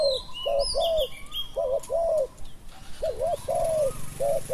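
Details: Spotted dove coos recorded while luring a late-arriving wild dove with a decoy: repeated phrases of a brief double hoot then a longer rounded hoot, steady and low, over scattered high-pitched chirping of small birds.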